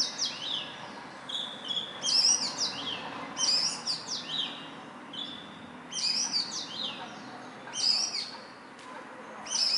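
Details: Indian robin, small black and white bird, singing near human residence in morning or evening; sweet high phrases of rapid twitters and downslurred whistles, repeated in bursts about every one to two seconds.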